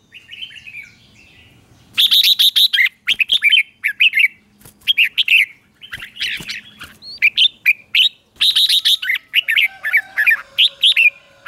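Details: Red-whiskered bulbul morning song in the fierce 'ché' style, used for training kept birds: dense runs of bright warbled phrases, brisk rising and falling notes packed close together with short pauses, after a quiet opening with a soft whistle.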